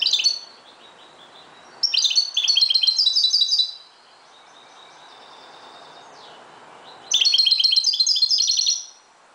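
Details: Singing at dawn, a Moroccan goldfinch gives several loud, fast twittering phrases of high, liquid chirps and trills, separated by quieter stretches of thin high notes and soft background noise.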